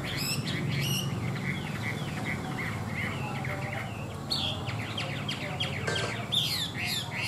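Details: Caged tame Chinese hwamei sings scattered whistled and slurred notes against a noisy, rumbling background, with a few sharper high phrases near the end.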